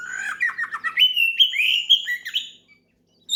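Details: An oriental magpie-robin sings hard to call out a rival: a rapid run of warbled notes rising into sustained bright whistles, slurred and varied, ending in a brief silence.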